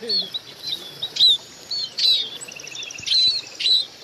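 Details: Munias calling the flock: thin, high, slurred chirps from several birds overlap, repeated roughly twice a second, with a brief low voice at the start.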